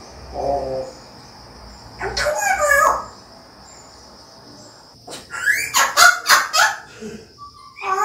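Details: African grey parrot talking: harsh, voice-like bursts of mimicked speech and squawks separated by quiet gaps, with background music and a steady high electronic whine throughout.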